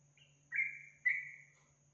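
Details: Yellow-vented bulbul, kept bird, heard in a training recording to make birds sing: a thin high note followed by two strong slurred whistles, each fading away, over a steady low hum.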